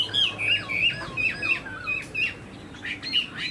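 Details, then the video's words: A tame caged Chinese hwamei showing a spread tail and eagle-style wing play sings clear, ringing whistled notes that loop and slide downward, spaced roughly three a second and trailing off toward the end. "Chim họa mi thuần đuôi xòe, chơi cánh đại bàng cực đẹp"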